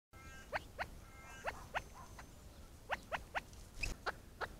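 A chukar gives quick upslurred clucking notes in pairs and triplets, about four per second, over a faint background hiss.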